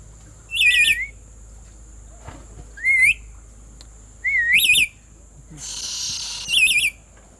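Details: Black-capped lory screaming: four harsh, wavering, buzzy screeches at uneven intervals of one to two seconds, with a burst of rushing noise before the last one.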